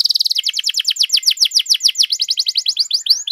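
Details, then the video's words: Canary singing hard as a tutor song for other canaries: a quick buzzy trill flowing into a long, even series of bright downslurred whistles, roughly eight per second, ending in a few upswept notes. "KENARI GACOR DURASI PANJANG BUAT MASTERAN DAN PANCINGAN KENARI"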